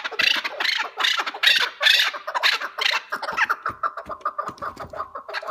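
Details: Chukar partridge giving a 'keklik hengamesi' call sequence: loud, scratchy chucking bursts in quick succession, fading to softer, rapid clucks in the second half.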